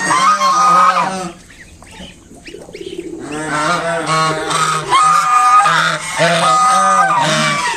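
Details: Protective mother swan near her five just-hatched cygnets, honking to keep a person back; a long honk, a brief quiet stretch, then a run of repeated nasal honks.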